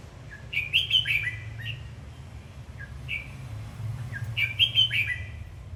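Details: Red-whiskered bulbul, singing as it dances, delivers two lively warbled phrases of clear whistles separated by single softer chirps, with a low background hum throughout.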